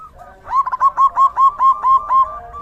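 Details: Rainy-season song of a zebra dove: a brief stutter, then about eight evenly spaced, bouncing cooing notes, clear and loud over a quiet background.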